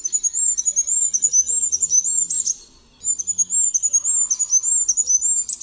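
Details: Goldcrest (Regulus regulus) singing a very high, thin, rapid series of repeated tinkling notes in two phrases separated by a short pause, with a faint lower buzz later.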